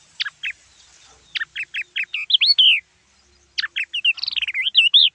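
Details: Yellow-eyed babbler at Silvassa, Dadra and Nagar Haveli, around 2:10 PM, giving two bright phrases: a run of sharp, high, down-slurred notes breaking into quick whistled warbles, with quiet background.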